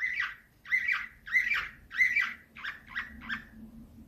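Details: Slavujar canary singing nightingale-style phrases: loud buzzy notes repeated roughly every two-thirds of a second, becoming shorter and softer, over a faint low hum.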